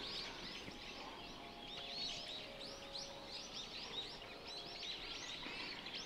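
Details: Countless grey herons gathered to breed in a colony at Kushiro, Hokkaido, 23 March 2022 at 12:45, heard from a distance, occasionally taking off together: a dense, continuous chorus of harsh, overlapping squawks and chattering calls.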